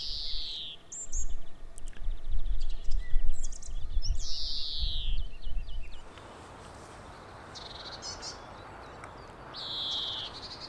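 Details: Singing European greenfinch in coastal Netherlands gives several drawn-out, nasal wheezes separated by short twitters; gusty wind is loud at first, then drops away, leaving the later wheezes clearer.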